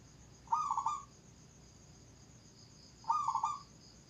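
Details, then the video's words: Zebra dove, called nduduk, cooing two matching phrases about two and a half seconds apart. Each is a quick bubbling run of soft notes that ends in a held coo, with a constant hiss behind. "suara burung perkutut nduduk"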